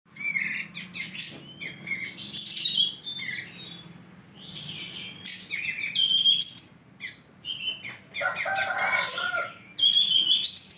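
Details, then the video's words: Kapas tembak bulbul from Mukomuko singing actively: lively, varied chirping and whistled phrases, short notes mixed with brief clear tones, in bursts with short pauses, over a faint low hum. "kapas tembak /blom bukor gacor"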